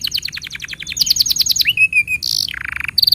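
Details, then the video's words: Canary singing as a training model for young and non-singing canaries: quick series of downslurred whistles, a liquid gliding note, a harsh high buzz, then a lower rattling trill and sharp chips. "Masteran Untuk Kenari Paud Dan Pancingan Kenari Macet Bunyi"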